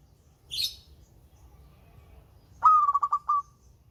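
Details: Melodious local zebra dove, used to draw out birds slow to sing, gives one bright phrase: an abrupt rising note running into five or six fast, throbbing coos. A short, high, scratchy chirp comes earlier, then quiet.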